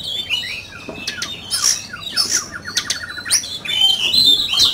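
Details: Oriental magpie-robin singing in a contest: scratchy bursts and whistles with a quick even series of short mid-pitched notes, ending in high pure whistles.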